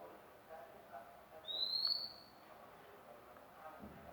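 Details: Newly obtained magpie-robin, already vocalising: a single clear upward-sliding whistle, bright and pure, lasting about half a second, over a low background hiss.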